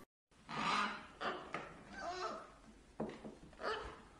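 Young macaws give harsh, raspy squawks in about five bursts over four seconds, some with a brief nasal tone, in a small indoor room.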